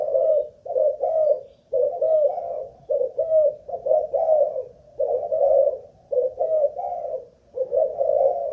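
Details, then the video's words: Caged Malaysian-line spotted dove used as a ground decoy, cooing through an endurance test; rapid, rough coo phrases of two or three notes repeat steadily, about seven groups with short silences between. "Cu Gáy Mồi Đất || Test nước bền chim cũng thấy khá ổn"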